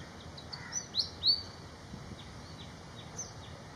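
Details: Malaysian pied fantail in Malaysia: a handful of sharp, high, squeaky whistles bunched in the first second and a half, then softer scattered high notes against steady background hiss.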